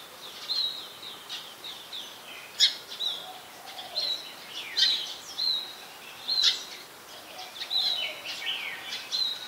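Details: Brown-throated sunbird, Ubon Ratchathani, Thailand, 2 January 2021, captured on a Nikon P1000: busy, uneven bursts of sharp high chips and quick downslurred twitters following one another closely, over a faint, quiet outdoor background.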